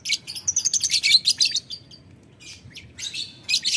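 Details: Lovebird calling a rival, ngetik ngekek style: a quick run of harsh, high, ticking chatter notes, a short lull, then more scratchy bursts.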